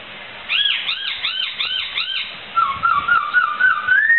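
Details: Poksai, a laughingthrush, in full song for songbird tutoring: five quick arched, chirping notes in a row, then a run of rapid warbled whistles climbing gradually higher, over faint background hiss.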